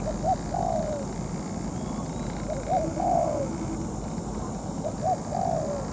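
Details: Spotted dove decoy in molt, set out for trapping a wild bird. Three clear phrases, each two quick rising hoots then a drawn-out descending coo, spaced roughly two seconds apart over constant low noise.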